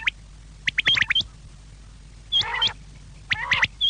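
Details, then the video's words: Quail calling, a clear call for evening use meant to draw quail in: short bursts of sharp chirps and hooked high whistles with a low harsh chatter, in separate groups with pauses between them, over steady low hum. "شام کیلئے بٹیر کی صاف آواز"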